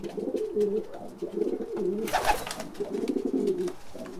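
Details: Caged pigeons cooing constantly, giving low, throaty cooing in soft rolling phrases, with a brief broadband rustle or thump midway from bursts of wing flaps.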